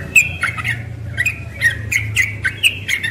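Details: Yellow-vented bulbul, a young bird, singing ropel in the morning: harsh, slurred chattering notes with clicks, repeated several times a second in short bursts, over a steady low hum.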